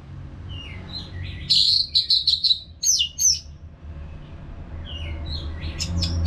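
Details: Caged-bird therapy recording of an orange-headed thrush singing: soft rising whistles lead into loud, rapid, high chattering phrases with sharp notes, a pause, then whistles building again over low rumbling background noise.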